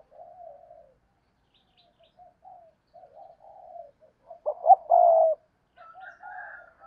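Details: Spotted dove used as a lure for wild doves. Quiet, low, wavering coos lead into one loud phrase of short notes and a prolonged croo. A fainter, higher cooing voice follows at the end.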